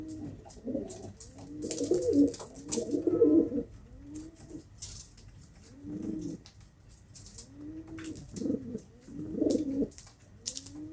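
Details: Pigeons give repeated low, rounded coos, several overlapping at first, then spaced out with pauses, against light clicking and rustling.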